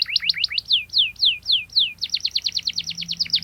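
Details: Canary in a lively, sharp rolling song used to provoke rival birds and teach young birds: rapid trills of downward-sweeping whistles, a slower run of descending slurred notes, then a fast dense trill again.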